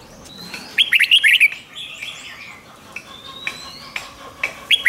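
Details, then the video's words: Red-whiskered bulbul song meant to excite caged birds: a fast warbled phrase, later scattered chirps and a short final burst, over a busy background of other faint calls. "เสียงนกกรงหัวจุก ร้อง ริก เปิดให้นกฟัง ยั่วให้นกคึกจัด"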